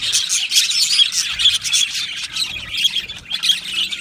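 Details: Many Australian budgerigars in an aviary singing together, lively bursts of squeaky chirps, short squawks and thin whistles pulsing over continuous chatter.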